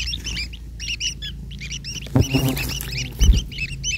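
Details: Long-tailed shrike chicks begging as the parent feeds them, scratchy rasping calls in quick succession, interrupted by louder rustling and thumping handling sounds, with low hum throughout.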